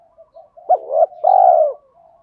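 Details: Spotted dove call, male and female voices, used to stimulate doves in training: soft low murmurs lead into a single phrase of a sharp note, a rising hoot and a long, even coo.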